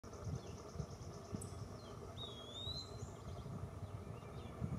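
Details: Eastern wood-pewee at Hutcheson Ferry Park on 23 June 2023 gives a single thin, slurred whistle that rises at the end, over a steady low rumble, perhaps distant traffic or wind.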